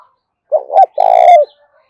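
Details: Spotted dove in fierce fast contest cooing, "thổ pha đồng" voice style. A single phrase: two brief coos, then a long resonant coo, with faint higher chirping over it.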